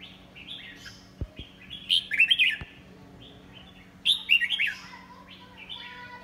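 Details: A red-whiskered bulbul with a strong, booming voice and an unusual crest fanned stiffly upright sings two loud bursts of bright, liquid, chirping phrases, with a couple of sharp clicks and a low hum in the background.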